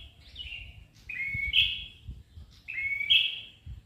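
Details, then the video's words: Ashy tailorbird singing: a sharp, high chirpy phrase of a rising squeak and a bright accented note, repeated about every one and a half seconds. "Prenjak Kepala Merah Gacor"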